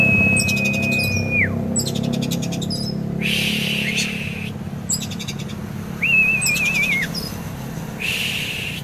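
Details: Oriental magpie-robin kept caged in Kisaran as a contest prospect, alternating long level whistles, one with a wavering quaver, with loud harsh rasping bursts and rapid ticking notes over a low background hum.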